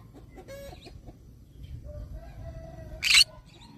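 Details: A green-cheeked conure parrot lets out a single short, rasping squawk, loud and noisy, preceded by faint tonal notes and a low rumbling background.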